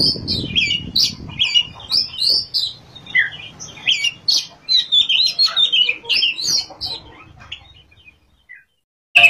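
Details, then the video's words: Oriental magpie-robin (kacer) in full song, style called ngerol and nembak: a fast run of varied whistled and chattering phrases, rising and falling, that fades out near the end before a brief loud note. "kacer gacor ngerol,nembak"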